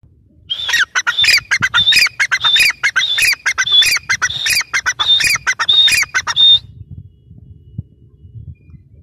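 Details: Grey francolin, known locally as teetar, calling in a rapid series of harsh, squawking notes for about six seconds, each burst ringing high and sharp before the sequence stops and only low background rumble remains.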